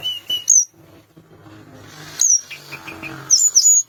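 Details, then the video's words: Sunda minivet uttering thin level whistles and sharp high downslurred notes, several in quick succession at the end, over a murmur of low background noise. "Tledekan gunung gacor bikin lawan emosi langsung bunyi"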